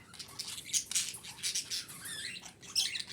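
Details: Female budgerigar calling to stimulate breeding in budgies: dense, continuous scratchy warbling with buzzy squawks and short rising chirps overlapping closely, loud and busy throughout.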